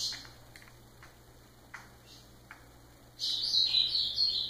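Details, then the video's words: Ultramarine grosbeak song: a few faint taps and short notes, then a sudden loud run of fast, high warbled whistles rising and falling, over a low background hum. "Azulão fenômenal"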